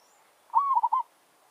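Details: Single challenge phrase from a village zebra dove set out to lure wild doves: a rising whistled coo sliding into a short rapid rolling trill.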